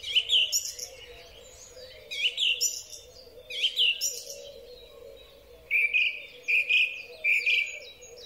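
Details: Spring song of a song thrush, captured on a Huawei P30 Pro: bright whistled and chirping phrases, the last phrase a motif repeated three or four times in quick succession, over a faint steady hum.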